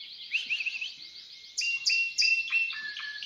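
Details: Caged Timbrado canary at an aviary, a soft warbling trill followed by louder repeated falling chirps, each phrase about half a second apart.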